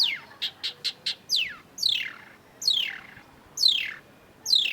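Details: Lively long-tailed shrike song meant to lure a non-singing shrike: a quick run of five short high notes, then loud, harsh whistles sliding steeply downward, repeated about once a second.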